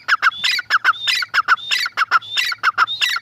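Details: Calling female grey francolin: clipped rasping syllables alternate with a faint high whistle, spaced in quick regular bursts roughly three per second, against a low steady hum.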